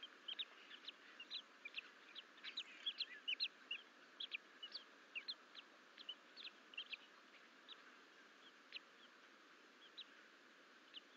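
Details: Two young bald eagles exploring outside the nest bowl at Fort St Vrain, 14 April 2024, with the mother gone; rapid, irregular high chips and squeaky notes, roughly two to three a second, over a constant background hum.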